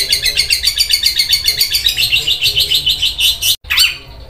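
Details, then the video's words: Long-tailed shrike singing energetically with a very rough, sewing-machine-like delivery: a steady stream of rasping, scratchy notes in rapid succession, broken by a brief gap near the end. "Cendet suara seperti mesin jahit kasar banget cendet gacor"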